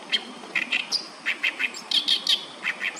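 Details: An Oriental reed warbler sings in a Tokyo park and riverbank in July: a fast run of harsh, chattering notes, about four per second, mixing grating syllables with a few sharper high whistles.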